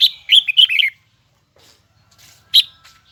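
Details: Huế red-whiskered bulbul in full high double-twisted voice gives a brisk, bright phrase of looping warbled notes. A pause follows, then a single sharp note and faint rustling.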